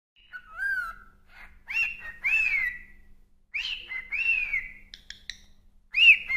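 A cockatiel whistles a tune of clear, sliding notes in short repeated phrases.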